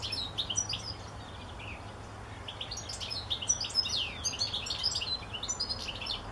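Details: European goldfinch song: a fast, tinkling jumble of high twittering notes, chirps and short buzzy trills, coming in loose bursts, over steady low background hum.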